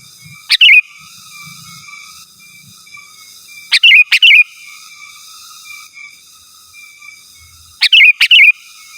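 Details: Sooty-headed bulbul song aimed at rivals, used as a lure and tutor; three paired bubbly phrases with sharp clicks, spaced about three to four seconds apart, with a faint steady whine behind.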